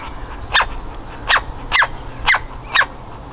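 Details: A young woodpecker, about to leave the nest, calls from inside its hole: five harsh, hoarse squawks spaced roughly half a second apart, each a short broadband burst over low rumbling background noise.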